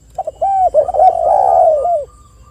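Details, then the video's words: Spotted dove calling, recording used as a lure to prompt other doves to call; a mellow low coo, two short notes then a long drawn-out rolling coo lasting about a second, clear and close with little background. "PANCINGAN TEKUKUR AGAR BUNYI"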